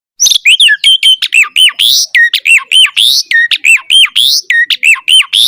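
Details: Asian pied starling singing energetically with varied filler phrases, used to prompt other starlings to sing. Rapid series of loud whistled notes, many with sharply rising or falling slides, repeated nearly once per second with harsh squawks mixed in.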